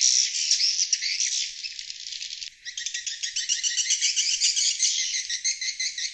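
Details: Swiftlet calls played to lure wild swiftlets: dense, buzzy, high twittering chatter in rapid pulses, about two per second, with a brief dip in loudness midway before the chatter resumes steadily.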